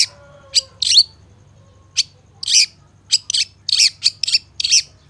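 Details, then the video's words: Long-tailed shrike song from a training recording: sparse shrill notes at first, then a faster cluster of harsh, buzzy high chirps over a low hum. "Masteran Suara Cendet No #1❗Pancingan Cendet FULL Isian"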